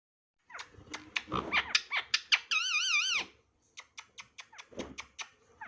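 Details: Pet Indian ringneck parakeet indoors, talking and saying "Mitho Bete" in its own style: a run of harsh, clicky syllables, then a wavering warbled whistle about half a second long, followed by softer scratchy notes.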